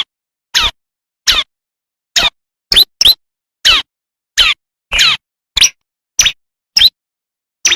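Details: Bar-winged prinia, the ciblek, natural wild song used as a master tutor for kristal and semi variants: short sharp downslurred chirps repeated in separate bursts, roughly one every half second, against clean silence.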